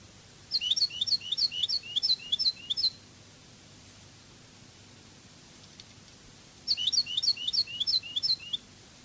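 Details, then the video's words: Cadiz song of a goldfinch for bird tutoring: two bursts of rapid repeated high twittering, each about two and a half seconds long, separated by a quiet pause of nearly four seconds. "CD CANTO DE JILGUERO CADIZ شريط لغة الحسون الإسباني قادس"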